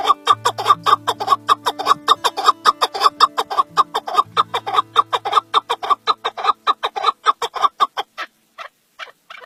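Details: Male chukar partridge (chakor) calling: a rapid run of harsh clucking notes, about two per second, speeding and then thinning out, with a steady low hum in the background at the start.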